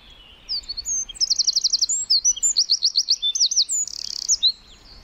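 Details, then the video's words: Tiny wren chirping away in woodland, pouring out high, fast trilled phrases of rapidly repeated notes, separated by brief sharp chips, ending in a buzzy burst; background otherwise quiet. "1 Hour Of A Bird (Wren) Chirping In The Forest"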